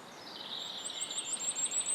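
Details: Firecrest singing in Estonia: a thin, very high series of quick repeated notes that grows louder over about two seconds, heard over a steady hiss of background noise.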